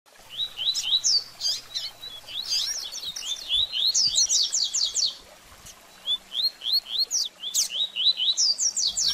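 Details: Double-collared seedeater singing a baderninha-style song, used to stimulate a bird after its moult: fast series of high, sweeping chirps and slurred notes in bursts, with a short pause near six seconds.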